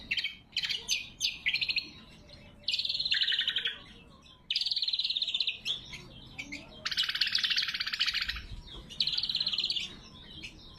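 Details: Greater green leafbird singing a clear, natural lure and master song meant to call rivals: rapid buzzy trilled phrases, some long, separated by short pauses, with scattered sharp chips between them.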